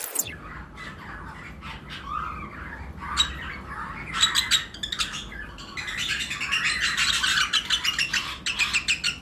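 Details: Pairs of lovebirds of several color mutations in a flight colony during breeding season, calling alongside other birds; dense, overlapping high chirps and squeaks build steadily into a busy, continuous chatter.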